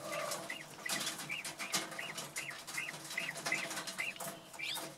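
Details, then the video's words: A mature male common quail (coturnix) from a January 2021 hatch, kept for breeding, calls a run of short, liquid, arched notes, two or three a second, upset at removal from his hens; another rooster answers; rustling and clatter. "Male Quail calls out"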